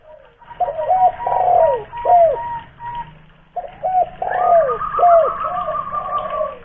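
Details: Loud local spotted dove from Kuningan, West Java, used as a lure. Two cooing phrases of clipped notes and a longer sagging coo, with a thin steady whistled tone behind the second.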